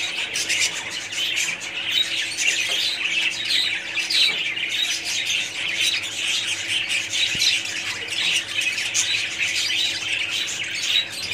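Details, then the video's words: Budgerigars in a colony, many birds calling at once: a dense, continuous wash of chirps, squawks and warbles, high-pitched and unbroken throughout, with no other clear sounds. "budgies parrots colony"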